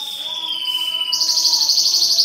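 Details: A green leafbird (cucak ijo), recorded while being paired for mating, gives a long, clear, slightly falling whistle, then breaks into a fast, high, sparkling trill, with faint lower tones underneath.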